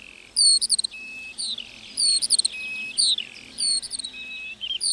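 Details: In a meadow, a lark delivers short bursts of high twittering notes, each separated by a thin, steady whistled tone held for about half a second, then starts again.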